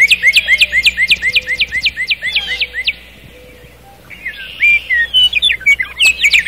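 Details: At night in the forest a nightingale repeats loud hooked notes in a steady series, falls quiet for about a second, then returns with a fresh run of emphatic chirps; faint low hum beneath.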